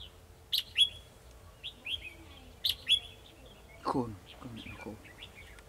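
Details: Red-whiskered bulbul singing as a trap decoy to attract a rival, 2 December 2020: repeated crisp high chirped phrases with short downward slurs, several in a row, interrupted midway by a brief human voice, then softer warbling.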